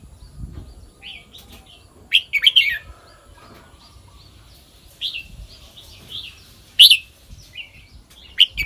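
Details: Red-whiskered bulbul in 'kwik-jok-khwai-liang' song style, several bright whistled phrases and shorter warbled notes scattered through the passage, among other faint chirping birds.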